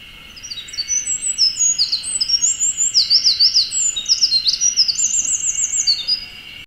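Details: A wren sings from the summit of a dead tree in Okuchichibu, Japan: a long, energetic cascade of very high whistles and fast rattling trills lasting about six seconds, against a continuous high insect-like drone.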